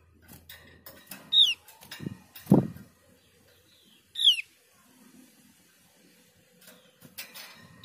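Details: Javan grey-throated white-eye (opior jawa) giving two loud, sharp whistled notes that slur downward, about three seconds apart, among scattered clicks, knocks and low thumps.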